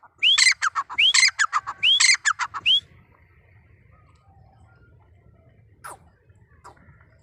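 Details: Wild grey francolin, called Deccani francolin, male and female mentioned: three loud harsh phrases in quick succession, each opening with a rising whistle and breaking into clipped squawking notes, followed by near silence with faint distant sounds.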